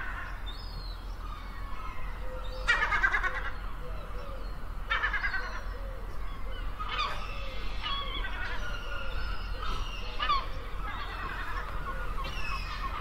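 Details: Several gulls calling at the beach, overlapping nasal, harmonic cries and short yelps that come in bursts throughout, set against a constant low wash of sea or wind.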